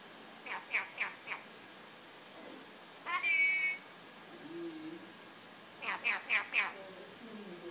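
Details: Happy pet red-collared lorikeet, olive form, repeating the Farsi word 'Bea', meaning 'come over here', and a person's name: soft chirpy syllables, one loud harsh screech, then another quick run of chattering notes.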